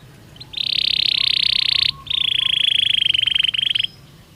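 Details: Belgian canary singing as a training stimulus: two long, intense buzzy rolls, the second breaking into a stuttering trill, with faint low hum beneath.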